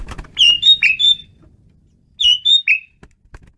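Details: Asian pied starling singing energetically: two bursts of clear whistled notes with slurred, slightly rising and falling phrases, separated by a short pause, with faint clicks at the start and end.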